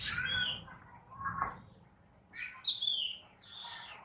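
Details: Black drongo (Dicrurus macrocercus) gives a few clear, whistled calls with slurred, descending tones. The calls are spaced about a second apart, and faint low background noise is heard beneath them.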